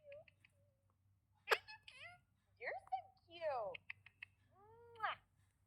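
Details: Parrot producing scattered speech-like syllables, clicks, and gliding whistles, then harsh raspy notes and a final downward-curving squawk, in a quiet room with a low hum.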